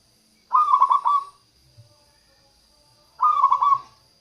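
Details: Local zebra dove song meant to lure wild doves and stir quiet birds into singing: two phrases of quick, stuttering cooing notes, about two and a half seconds apart, with a steady high electronic whine throughout.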